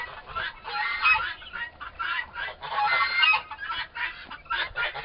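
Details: Two young turkey toms, both about four months old, fighting each other: harsh, noisy squawking bursts come in rough pulses about every two seconds, with brief gaps between scuffles.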